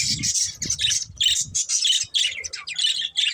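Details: Budgies chirp in quick, buzzy, choppy notes, about three per second, with some low thumping noise early on.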